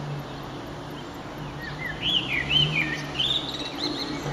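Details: Eurasian blackbird singing at sunset on 9 June 2011 under an eastern sky: a phrase of warbled, fluting notes wandering between middle and high pitch over a steady low hum.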